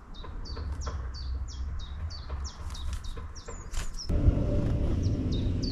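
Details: Long-tailed tit visiting a town, calling in a quick series of high, down-slurred notes about three a second, then a louder burst of low background noise toward the end.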